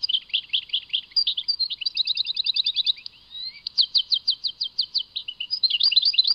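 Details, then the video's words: Song of a European goldfinch called Tadmait: bouncy twittering chirps, a tinkling trill, a soft rising note, then a series of separate sharp, evenly spaced chips and closing jumbled twitters. "Chant chardonneret Tadmait"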